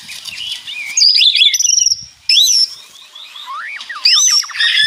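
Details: Rattling 'ngeretek' song of white-rumped shama, birds answering each other; scratchy chattering bursts and sliding whistles separated by a quieter gap, high bright notes throughout.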